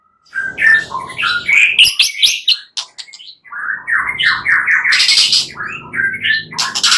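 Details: White-rumped shama night song meant to stimulate singing: dense, loud jumbled warbling with harsh bursts and rapid descending notes over a faint low background hum.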